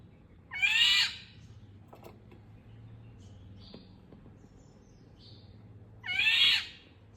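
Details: Indian golden oriole giving two harsh, nasal, cat-like calls about five seconds apart, each roughly half a second long and rising slightly, with faint high chirps from other birds between them.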